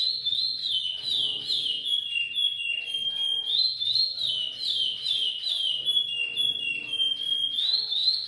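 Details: Repetidor Goiano song of a chestnut-bellied seed finch (curió): melodious, liquid whistles sliding up and down in repeated wavy phrases, delivered nonstop, rich and bright over a quiet background.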